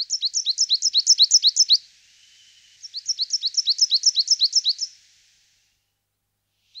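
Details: Coal tit song of quick, regular high-pitched repeated phrases, each a bright falling note, delivered in two fast runs of about ten with a brief gap, then one final note.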